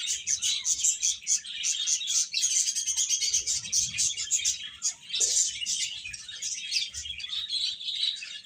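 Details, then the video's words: Domestic chicken chicks calling in a crowd, their high-pitched cheeps crowding over one another continuously, with a faint low thump around five seconds. "Cute Chicks Chirping Sounds"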